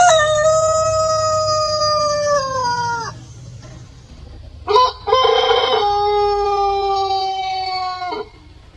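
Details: Rooster at a chicken farm crowing, one of many different roosters recorded: a long harmonic crow held level then dropping at the end, followed after a pause by a second loud crow with a stuttering start, over low rumbling background noise.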